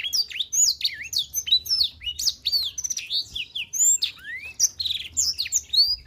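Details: Black-throated canary (Crithagra atrogularis) song: a fast, unbroken run of high twittering notes, mixing sharp chirps with quick rising and falling whistles.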